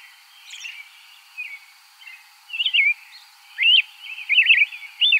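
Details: American robin (Turdus migratorius) singing: faint scratchy notes building into loud, warbled two- and three-part whistled phrases that rise and fall, delivered in quick irregular bursts over a steady high background hiss.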